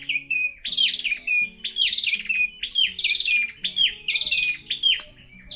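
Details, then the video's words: Morning birdsong in the Negros Oriental countryside, birds such as alimokon, tukmo, pirok-pirok, kukok and punay: loud high chirped phrases, each dropping in pitch, repeated about once a second over a faint low hum. "Iba't ibang klase yung huni ng ibon yung naririnig mo."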